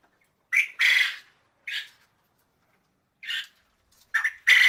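A quail gives six harsh, raspy squawks at an uneven pace, some short and some drawn out, with silence in between.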